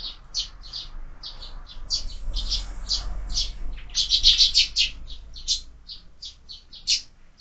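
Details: Sparrows feeding at a window-mounted feeder, producing a rapid, uneven stream of brief chirps, several per second, some overlapping as more than one bird calls, over a steady low background hum.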